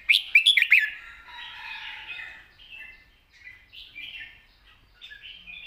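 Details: Red-whiskered bulbul cage bird giving a long, light-voiced song mixed with 'rik' calls in wild-style phrasing. It opens with three loud, sharp chirps, then moves into softer, drawn-out warbles and short whistled phrases.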